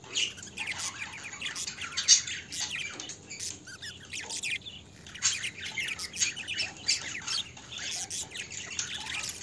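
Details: Several pet budgerigars chattering continuously with rapid, harsh squawks, buzzy chirps and thin tweets overlapping in dense bursts, one louder squawk standing out near the two-second mark.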